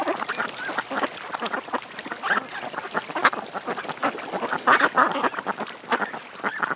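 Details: A group of ducks at a creek keeps up dense, overlapping quacks, short rasping notes tumbling over one another without pause amid constant background hiss.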